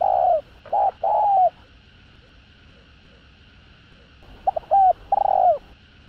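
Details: Spotted dove in the 'hạp bổi' voice, calling, urging and cooing to provoke rival males: two full phrases separated by a quiet gap, each with quick short notes leading into a long coo that bends down at the end.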